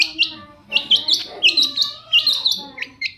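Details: A chattering long-tailed shrike gives a fast run of sharp, squeaky high notes, tumbling together in quick succession, intended to get other shrikes to answer.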